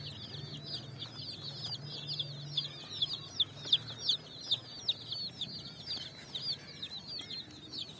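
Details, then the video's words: Colourful chicks jumping and running on sand in the evening, seeking food: a busy chorus of high, sharp cheeps, a low hum early on and soft thumps later. "Chicks Chirping"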